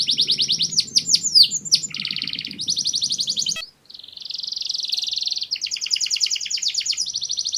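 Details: A canary sings to attract a mate, pouring out long rolling trills and sharp sweeping notes; a brief gap midway, after which steady buzzy trills resume, cleaner and with less background hum.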